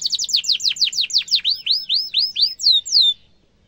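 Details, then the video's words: Young canaries' tutor song from a canary: fast down-slurred chirps slowing into upswept 'cuit' notes about three per second, ending with two loud whistled slurs before silence. "Kenari gacor ngerol tajam suara kesukaan kenari muda gampang ditiru efektif untuk masteran kenari"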